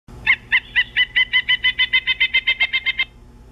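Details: A pileated woodpecker on 13 March 2015 gives a loud, ringing series of about fourteen even 'wuk' notes, roughly five per second, for three seconds, over a faint low background hum.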